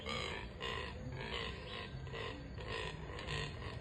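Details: Neotropic cormorant (Nannopterum brasilianum) in breeding season giving low, pig-like grunting oinks in a rough series of about six short bursts, with a steady background hum.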